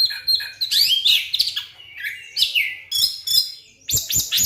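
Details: Oriental magpie-robin lure song for stirring a silent bird into full song: varied high whistles, sharp chirps and slurred rising notes in quick bursts separated by short pauses.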